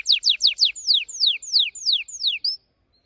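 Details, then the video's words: Orange-red canary of the red factor type sings a bright phrase of rapid falling notes, first tight and quick, then longer descending whistled slurs at a steady pace, ending on a short rising whistle followed by silence. "Your canary Will Sing Unstoppably || The master singer || Best canary 2026||very fast singing canary"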